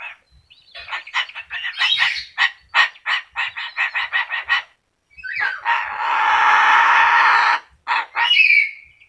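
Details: Yellow-crested cockatoo said to be able to talk, giving a rapid run of harsh, clipped squawks followed by a long rasping screech, then a few more short squawks.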